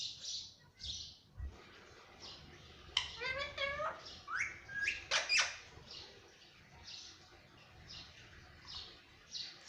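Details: Pet Alexandrine parakeet giving a burst of harsh, rising squawks and shrill screeches in the middle, with faint repeated chirps and soft background noise throughout.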